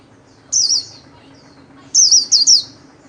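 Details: Pet white-eye in a cage, trained daily, giving khuyên líu style solo song: two short bursts of high, warbling, rapidly modulated notes separated by a pause of over a second, over a quiet low background hum.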